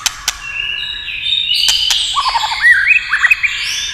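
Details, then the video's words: White-rumped shama song prompted by tail-tapping: rich overlapping whistles leading into quick downslurred notes and a looping whistled flourish, with a few sharp clicks near the start. "chòe lửa tạch đập đuôi cạch cạch kích thích chòe lửa hót"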